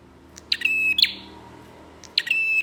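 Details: Bar-winged prinia song played to draw other prinias into song. A buzzy, rattling phrase with a steady high whistle, ending in a sharp snap, then the start of a second identical phrase.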